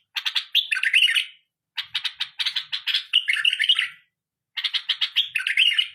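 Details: Pet bulbul singing indoors: bursts of rich, rapid warbled and chattering phrases, bright and varied, separated by short pauses.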